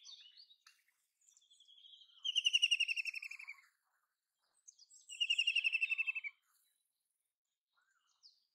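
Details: White-throated kingfisher (Halcyon smyrnensis) giving two loud, shrill rattling trills, each about a second and a half long and falling slightly in pitch, a few seconds apart, with faint chirps between.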